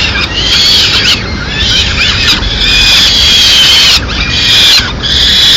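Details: Loud peregrine falcon chick begging in Madrid as the female brings small bird prey at mid-morning; harsh screeches in phrases of about a second, with thin whistled whines between them.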